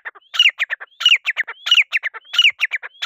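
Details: Grey francolin, also called grey partridge or irani teetar, calling loudly: a rhythmic phrase repeated about every 0.7 seconds, each with a thin rising whistle followed by several harsh, descending, chattering notes.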